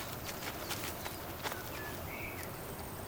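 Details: Male Western Capercaillie mating display in a Serbian forest, wooing hens: sharp, dry knocking clicks spaced unevenly about every half second, then a brief higher scraping whistle, over steady forest hiss.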